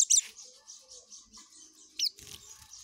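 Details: Oriental white-eye giving ngekek rapid song: a quick run of high buzzy pulsed notes, opened by a loud sharp chip and interrupted near the end by another loud down-slurred note.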